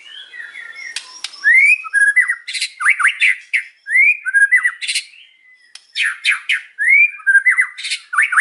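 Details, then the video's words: White-rumped shama singing in the afternoon, published 8 July 2023, in a loud hard-edged song with rich whistled upslurs, harsh chattering bursts and squeaky notes in dense phrases, pausing briefly near five seconds; clean indoor-sounding recording. "KICAUAN MURAI BATU SORE HARI"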